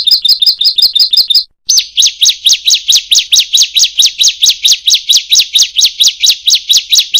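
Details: Ciblek or prenjak, the bar-winged prinia, in a training recording: quick paired chirps, a short gap, then a long run of loud, sweeping buzzy notes, each rising steeply and repeated regularly.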